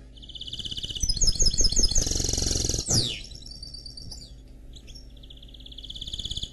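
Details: Canary crossed with goldfinch, a mule, delivering pulsing trills that build into a loud buzzy run and a sharp downward sweep, then a quieter steady rolling trill, with background hum.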